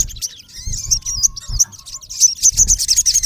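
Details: Sogon, the olive-backed sunbird, a male calling a rival: high sweeping whistled notes and chips, then quick sharp ticking notes at the end, with some low bumps.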